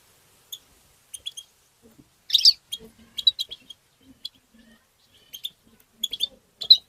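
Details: European goldfinch tbtba song: sparse high chips building to a brief buzzy, tangled flourish, then further scattered twittering notes and a faint low murmur.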